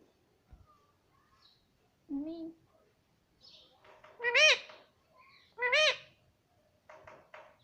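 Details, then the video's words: Baby green parrot at home giving a low wavering note followed by two strong, arched, harmonic cries spaced over a second apart, with soft clicks and murmurs in a quiet room. "Baby Parrot Voice _ 🦜☺️🥰 _ Parrot voice _ parrot sound"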